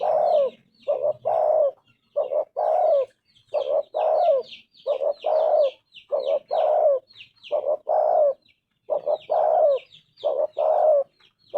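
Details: Spotted dove, a singing tekukur with a clear 'golden voice', coos in low paired notes, a short hoot followed by a longer falling croon, repeated steadily, while small birds chirp high and thin throughout.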